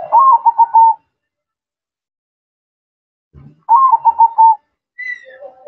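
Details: Zebra dove in full song gives two matching phrases several seconds apart. Each is a rising note followed by a rapid chain of clipped, bubbly coos, with short higher and lower whistled notes at the end.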